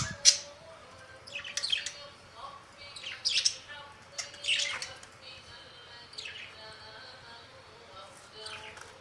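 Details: Pet budgerigar uttering scattered thin, high chirps and brief warbled notes, spaced irregularly at moderate volume, with a constant faint tone in the background.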